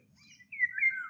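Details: Indian Golden Oriole, a single rich, fluty whistled phrase sliding slightly downward, preceded by faint thin high notes; the male's song, heard from trees in spring and summer, declares territory to other males and communicates with mates.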